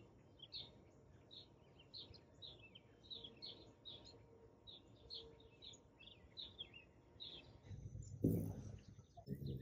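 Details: Hummingbird at a feeder, recorded in the morning on an iPhone 11 set on a tripod beside it: a steady series of short, high, sharp chips for about seven seconds, then a loud low rumbling thump near the end.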